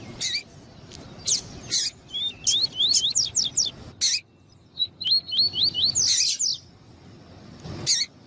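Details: Caged male coleiro tuí-tuí (double-collared seedeater) answering a female's calls, meant to get captive birds singing: sharp chips, then a fast series of high rising whistled slurs, repeated after a brief gap.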